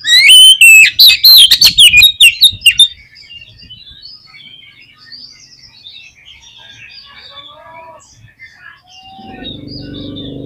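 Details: Oriental magpie-robin singing, used as a lure to provoke caged magpie-robins into song: a loud burst of rapid whistles and sharp notes for about three seconds, then faint distant twittering and a low rumble at the end.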